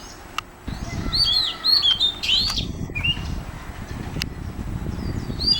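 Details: Oriental magpie-robin song at Mormugao Harbour, Vasco da Gama: a run of sweet whistled notes and upward slurs, then a lower short phrase, over a steady low rumble of harbour traffic and a few sharp clicks.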